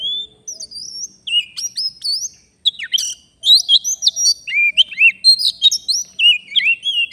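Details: Wild forest Oriental magpie-robin during a bird-trapping outing, singing in full voice: a rich run of clear whistled notes, slurred upward and downward, mixed with quick chattering phrases and brief pauses.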